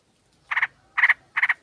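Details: Female sooty-headed bulbul calling to a male, recorded for luring birds: three short, harsh chattering bursts, each made of two or three rapid notes, spaced about half a second apart against a quiet background.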